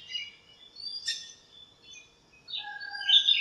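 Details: Backyard birds chirping on a sunny morning in a lemon tree, calling to each other: high, thin whistled notes and brief sweeps, with a sharper chirp near one second and a louder warbled phrase at the end.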